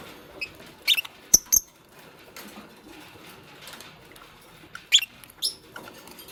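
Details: Fischer's lovebird, green with a pastel companion, making a nest: short piercing chirps in pairs and small clusters, separated by quiet gaps filled with faint scratching and rustle.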